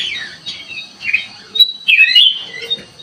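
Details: Sooty-headed bulbul calling as a lure: rapid squeaky chirps and downward-slurred whistles in uneven bursts, a brief quiet gap, then a louder tumbling phrase toward the end.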